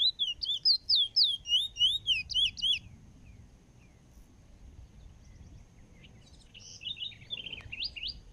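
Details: Bullfinch (chestnut-bellied seed finch) from Trinidad singing a rapid run of clear, sliding whistled notes about four per second for three seconds, then quieter scattered notes and a short burst of twittering near the end over low background hum.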